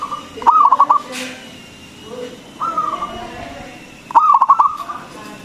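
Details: Local perkutut, the zebra dove, with a big singing voice, played to lure other doves into song. Two staccato bursts of rolled cooing notes frame a smooth, steady coo in the middle.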